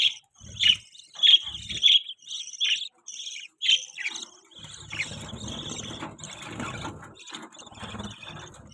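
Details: Newborn budgie chicks chirping: a run of sharp, high, evenly spaced squeaky peeps about every half second, then softer, steady twittering with faint background rustle.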